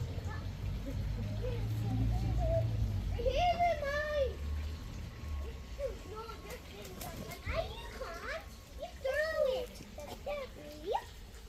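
Chinese geese give loud, nasal, arching honks in short bursts, some rising and falling, over a low rumble and background murmur.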